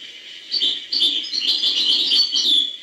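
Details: European goldfinch delivering hbal-style song, a steady stream of high, jingling twitters and buzzy trills with little pause, over faint background hiss.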